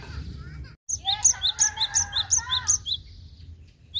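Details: Cinereous tit in lively song, a recording meant for luring: a steady series of about eight bright, high two-note phrases, each a clipped upper note followed by a lower whistle, over a softer warbling undertone and low rumble.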